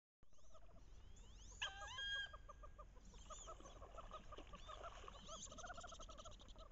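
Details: Wood duck hen calling during the late-October mating ritual on a bayou, pairs chasing and posturing; one loud, harmonic, rising squeal lasting about half a second amid a busy chorus of repeated chattering notes and high chips.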